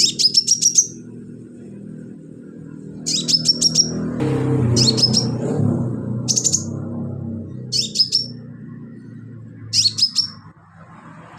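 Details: [['Rapid stuttering bursts of very high, thin chirps from a sunbird, filler song for training cage birds, recur every second or two, with a louder wash of low background noise in the middle.']]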